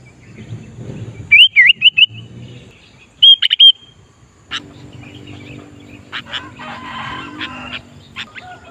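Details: Sooty-headed bulbul singing keenly while luring wild bulbuls for trapping. There are two bursts of loud, looping whistled notes, the second shorter, followed by softer scattered chirps and background noise.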